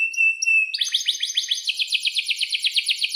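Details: Canary tutor song for young birds learning to sing: a steady high whistle, then a fast, regular trill of sweeping notes, about four per second, continuing to the end.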